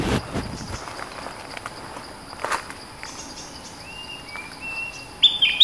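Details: Bulbul lure call aimed at an aggressive territory holder: after a stretch of quiet hiss and scattered clicks, thin level whistles begin, followed by a brighter burst of sharp whistled notes at the end.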